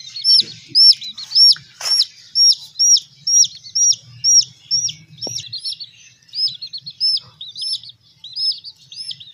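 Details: Young chicks being raised peep steadily: bright, high, down-curved notes about two per second, evenly spaced through the stretch, with a brief click and soft low background hum.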